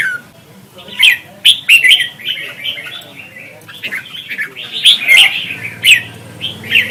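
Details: Competition singing of a red-whiskered bulbul from Vietnam, meant as a lure to train and excite other bulbuls: short bright whistled notes and chirpy flourishes, separated by brief pauses, with a faint low hum.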